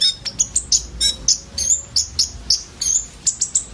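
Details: Common iora 'isian' filler song from a group of birds, used as a lure for sunbirds: bright, very high chips and ticks, some doubled, about one every quarter to half second, irregular spacing, no other sounds.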